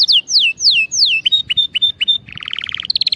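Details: Training song for canaries: three long falling whistles, then short clipped notes and a low buzzy rattle, finishing with a quick high trill of repeated chips.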